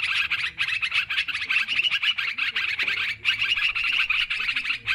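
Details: Yellow-vented bulbul lure sound for bird trapping, noisy and busy: fast overlapping chirps and bubbly phrases flow steadily, with a short dip near the middle before the chatter resumes.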